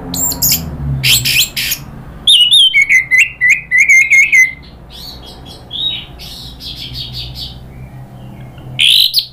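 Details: Agitated orange-headed thrush, nratak-style provoked singing: harsh noisy bursts give way to a fast run of chirps and a wavering whistled warble, then scattered high notes and a final rising whistle.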